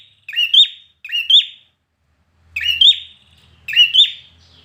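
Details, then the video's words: Four clear, piercing whistled phrases from a competition-singing red-whiskered bulbul, two quick ones, a silent gap, then two more, each rising sharply and tailing downward. "Chào Mào Hót Căng Lửa, Kỹ Thuật Luyện Chim Hót Đặc Biệt Và Thắng Đấu! - Chào Mào Hót Đấu"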